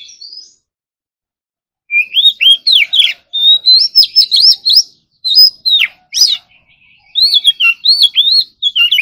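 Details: Competition-style morning practice song of an Oriental magpie-robin: after a short pause, three bursts of rich, looping whistled notes with sharp chips between them, separated by brief silences.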